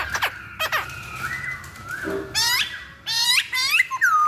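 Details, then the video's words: Chinese hwamei singing: sharp whistled notes, a long level whistle, then loud bursts of repeated upward-curving notes and a final rising slur, against a faint hiss. "Pancingan Poksay Hongkong Paling Ampuh"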